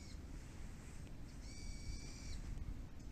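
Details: Bird by a neighbourhood plum orchard, calling busily once the rain has stopped: one long level harmonic note near the middle, with fainter notes around it over a low rumbling background.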